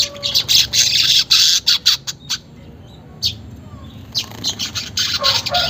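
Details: Weaver song to encourage caged weavers to chatter: choppy bursts of buzzy, scratchy notes, a quiet gap around the middle with one short burst, then renewed, faster stuttering chatter.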